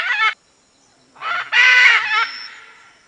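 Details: Red-and-green macaw, a large parrot; harsh raspy squawks, a short one then a longer drawn-out screech with a fading tail, in a quiet setting.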